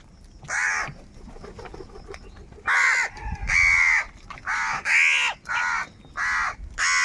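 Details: Angry crows calling for food, giving a fast run of loud, harsh, nasal caws, six or seven in quick succession after a quieter start with distant cawing.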